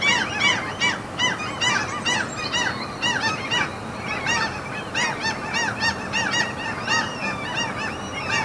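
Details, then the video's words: Seagulls crowding a mountain fjord in Norway, giving a steady stream of nasal, down-curved yelps from several birds at once, evenly busy from start to finish. "NORWAY SEAGULLS FJORD AMBIENT SOUNDS"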